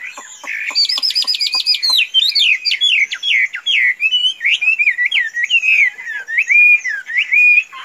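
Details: A tame hwamei, said to be as docile as a chicken, starts with a fast high trill of repeated notes, then pours out a continuous flow of bright, swooping whistled phrases.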